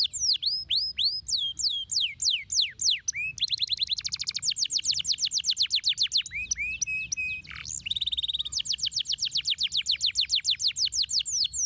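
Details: Lively canary song, played to coax silent canaries into singing again: rapid chains of high, sharp repeated notes shifting between several trill types, with a low dipping whistle midway, then a long, steady, rattling trill.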